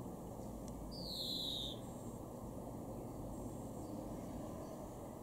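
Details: Garden greenfinch in Weener, East Frisia, northwest Germany, recorded May 2021: one prolonged, rasping, downward-sliding wheeze, then only faint distant notes and constant low background rumble.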